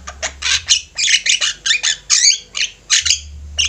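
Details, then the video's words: Active Javan myna flock chorus used as a master: rapid harsh squawks mixed with short twisting, whistled warbles, packed closely with brief breaks. "Jalak ombyokan gacor, cocok buat masteran"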